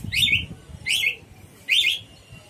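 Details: Cucak cungkok bulbul in lively song, giving three short, sharp notes that slide downward, spaced almost a second apart, over a quiet low background hum.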